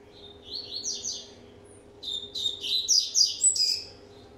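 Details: A 1.5-year-old double-collared seedeater warming up with two bursts of high, quick twittering notes, a short one then a longer, busier phrase, over a low indoor hum.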